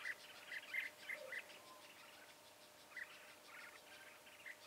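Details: Red-whiskered bulbul used as a decoy bird during trapping: short clear whistled notes near the same pitch, given in quick clusters, then a pause and a second, softer burst, all faint over steady background hiss.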